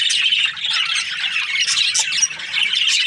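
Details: A crowd of breeding-pair budgies in an aviary produce rough squawks and fast high chirping, a thick and steady chatter with no quiet gaps.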